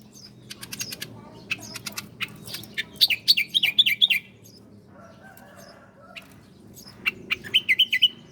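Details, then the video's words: Bar-winged prinia song used as a master recording for training cage birds: bursts of sharp ticking clicks, then a fast warbled, wavering trill, a quiet pause, and a second short warbled phrase. "masteran burung ciblek Koya"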